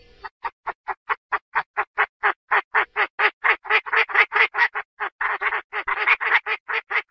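A hen Chinese francolin calls the male with a long, fast run of harsh, clucking notes, about three or four a second, growing louder and rougher midway.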